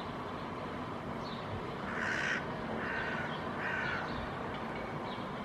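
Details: A Hooded crow, one of a pair protecting a flightless fledgling, reacts to a big but gentle dog with three harsh, hoarse caws about a second apart, over a steady background rush of wind or distant traffic.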